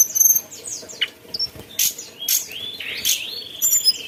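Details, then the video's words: High, thin chirping from a mountain tailorbird: quick downslurred notes, sharp clicks and a closing rising whistle, delivered in short bursts with brief pauses between them. "tledekan gunung gacor ocehannya"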